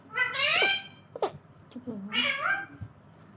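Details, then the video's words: Talking parrot, said to be asking mummy for roti: a long, strained, harmonic speech-like phrase, a brief sharp note, then a lower murmured sound and a second bright, bending vocal burst, in a quiet room. "parrot speaking mummy mitthu ko roti do"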